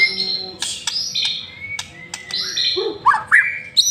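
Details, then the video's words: White-rumped shama in full, vigorous song used as a lure recording: rich varied phrases of clear whistles, sharp high notes and quick slurred chips, loud and constantly changing. "Murai Batu Masteran sekali Pancing Langsung GACOR"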